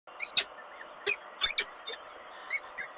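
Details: Female peregrine falcon at Kawęczyn on 21 April 2022, refusing the nest changeover: short harsh call notes in irregular bursts, some rising and ringing, over a steady background hiss.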